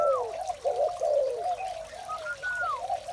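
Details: Spotted doves in the morning give a run of soft, low, overlapping coos, opening with a falling whistle and later a long clear whistle that slides down.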